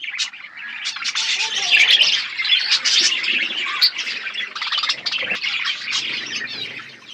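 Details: Budgerigars eating in a flock: dense high chirping and warbled chatter from many birds at once, continuous and without pauses.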